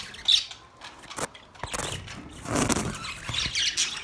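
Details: Sparse budgerigar chirps and short squawks, broken by sharp clicks and knocks. A louder burst of chatter builds in the second half.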